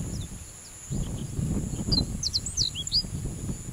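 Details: Japanese reed bunting singing: a short burst of thin, high chirped notes, each sharply falling, bunched near the end, over strong low rumbling wind-like noise and a steady high hiss.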